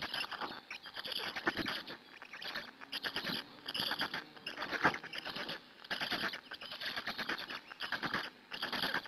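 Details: Black storks at a Hungarian nest, an adult feeding the storklets on 2 May 2017 around 15:00, live camera; harsh, fast-pulsed rasping in repeated bursts of one to two seconds, broken by short silences.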